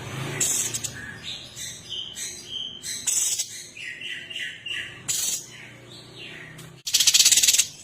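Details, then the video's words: Sooty-headed bulbul, known locally as cucak cungkok, a female calling the male, gives a run of short bright whistled notes rising and falling. Scratchy bursts break in between, and a final loud rasping rattle sounds over a faint low hum. "cucak cungkok BETINA manggil JANTAN"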